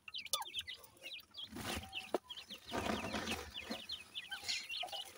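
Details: Grey francolin chicks, a pair, uttering bursts of high, hooked peeps at the start and end, with a stretch of rustling, scraping noise in between.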